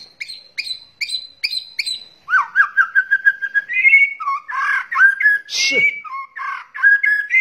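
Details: White-rumped shama, male and female, in a lure recording with kretekan and trill elements: five clear high paired whistles, then a fast run of rising notes into a varied, rich whistled warble with one harsh scratchy burst.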